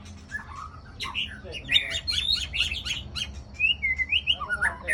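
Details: White-rumped shama in Aceh Besar, Aceh, heard as a trapping lure: a rich, fast jumble of varied whistles and chattering notes, followed by a run of clear looping whistled phrases, over a low steady hum.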